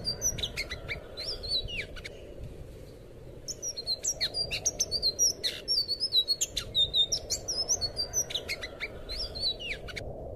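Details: Recording of an anis biru (blue thrush) song meant to train cage birds: long rambling phrase of high twittering whistles and downward slurs with rough buzzes, briefly quieter early on, then dense rhythmic pulses of notes over low hum.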